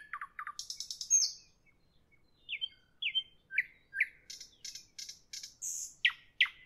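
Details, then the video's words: Nightingale in evening song: fast clicking notes and a brief rattle open the phrase, followed by sweet slurred whistles repeated in pairs, then scratchy buzzy bursts and sharp downslurred notes. "Evening nightingale, nightingale song, nightingale"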